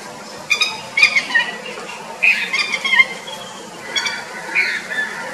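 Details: Red-wattled lapwing, Sri Lanka, giving shrill, strident call notes in three quick bursts about two seconds apart, over a faint low background hum.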